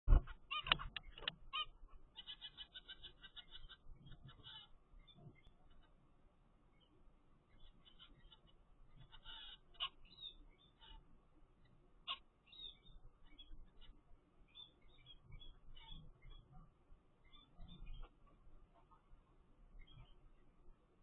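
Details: A 15-day-old zebra finch chick from a first clutch gives thin, high, repeated chirps in quick bursts over a low background hum.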